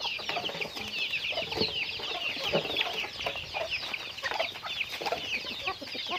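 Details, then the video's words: A flock of chickens in daily activity fills the air with continuous, overlapping high-pitched chirping and clucking, joined by occasional lower, fuller clucks and faint background noise. "Natural Sounds of Chickens"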